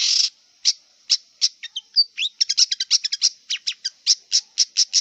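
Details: Song of a wild long-tailed shrike: an opening harsh rasp, then a rapid, varied stream of sharp chips and short whistled slurs, closing with evenly spaced loud clicks. A thin high hum runs in the background.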